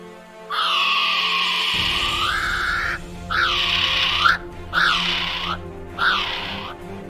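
Kiwi: one long, shrill, harmonic whistle, then three shorter ones about a second apart, each rising then dipping. Low music hums underneath.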